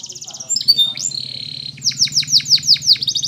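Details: Training song of a canary: a short high chattering trill, then a sustained buzzy whistle, then evenly spaced loud downslurred notes about five per second. A faint low background drone.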